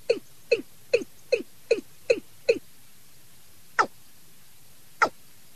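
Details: Watercock call recorded from a decoy bird and played as a lure for catching birds at night: a run of short, low, downward-sliding notes about twice a second, then two sharper, higher clicks after a pause.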